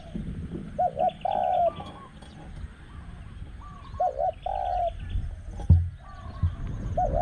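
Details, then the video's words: Spotted dove coos heard at a dove-luring spot with a caged decoy, spot 14; paired short-then-long cooing phrases, quieter higher coos from a second bird between them, and a low rumbling background. "ต่อนกเขาใหญ่ | หมายเสียงเล็กโกดๆ / เสี้ยนสอ /บัวแต้ม /ดุๆ"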